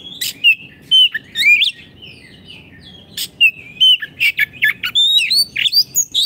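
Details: Oriental magpie-robin, a caged bird, singing in a lively, active style for tutoring magpie-robins that have stopped singing: rapid bursts of varied clear whistles, slurred rising and falling notes and sharp chips, with a low background hum.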